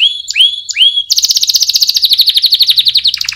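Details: Canary song for chick training opens with three loud swooping whistles, then breaks into a fast, even, high trill of beaded notes that runs on and ends with falling chips.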